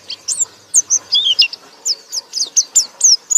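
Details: Loud ngekek song of a pleci (white-eye): clipped, very high whistled notes, some sliding downward, fired in a quick, uneven but nearly continuous series.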